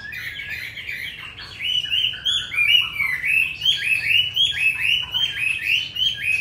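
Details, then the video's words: Fine wild-voiced hwamei in a cage in Hanoi, Vietnam, builds from soft notes into a loud, fast series of repeated whistled swoops, several each second, steady and insistent. "Họa mi 5633b đẹp giọng rừng hay mau mỏ"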